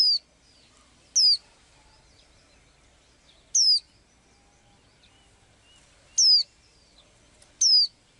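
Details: Small blue-eyed bird singing, as it does daily: five loud, short whistles, each sliding sharply downward from high to lower pitch, spaced unevenly over eight seconds against a quiet background.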